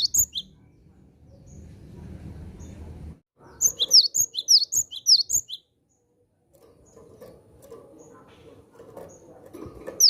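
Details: Javan sparrow calling to draw in wild birds: a brief chirp at the start, then after a pause a burst of about ten sharp, high, downslurred chirps at a rapid steady pace, followed by quiet background.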